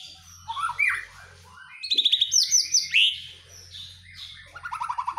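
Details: White-rumped shama in captivity, heard while being set out in the dew and singing vigorously: rapid trills, sweeping whistled notes and repeated staccato bursts in quick succession, over a faint low hum.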